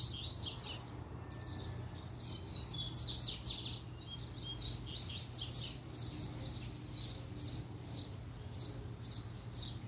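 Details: Caged Double-collared Seedeater (coleiro) of a managed pair, singing when the female appears: dense bursts of high, sharp chirps and trills repeating through the stretch, loudest near the start, with a constant low background hum.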